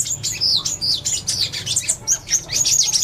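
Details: Purple-throated sunbird singing a bright, very high-pitched twitter. Rapid slurred chips and squeaky zipping notes run together almost without a gap across three seconds.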